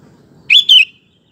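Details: Lure and tutor recording of an actively singing sooty-headed bulbul meant to make other males answer; a single bright double note, rising then falling, over a faint low hum.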